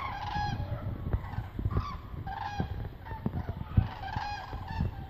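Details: Common cranes, hundreds migrating south over Meerssen in the Netherlands on an autumn afternoon in November; scattered trumpeting calls above steady low rumbling background noise, with occasional knocks and clicks.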